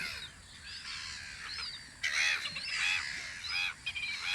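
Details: Spring gull calls from a guard post on Audru polder: many birds crying over one another, with arched, nasal notes and a louder burst of calls midway through.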